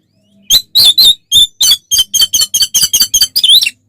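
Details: Oriental magpie-robin singing aggressively, a lure to make other birds emotional: a steady series of about twelve short, harsh, rasping notes at a quick even pace, closing with a wavering whistle.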